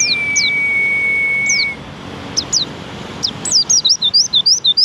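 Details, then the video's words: White-eye: one long level whistle, then scattered high downslurred chips building into a quick, rhythmic burst of bright twittering notes at the end. "burung pleci"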